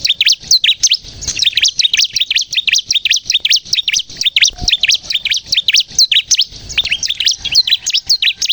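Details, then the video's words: Bar-winged prinia (ciblek kristal) song used as a lure to draw birds in and prompt other prinias to sing: rapid, continuous high chirping notes repeated several times per second, sharp and bright, with faint low knocks underneath. "suara burung ciblek kristal gacor untuk pikat dan pancingan ciblek bahan agar bunyi"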